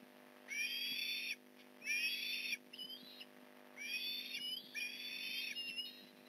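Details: Osprey at a Port Lincoln nest during a fish delivery, November 15, 2019, 8:24am: loud, harsh whistled calls with stacked overtones come in long bursts of nearly a second, separated by brief pauses, over a steady low hum.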